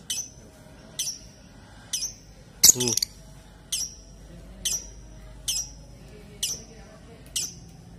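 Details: Lovebird giving sharp high chirps repeated about once a second, with a single louder clatter near the middle and a low room hum behind.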